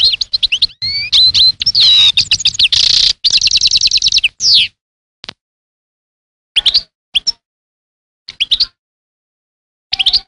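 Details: European goldfinch singing a dense twittering phrase with whistled slides and a rapid buzzy trill, followed by scattered short chirps spaced by pauses.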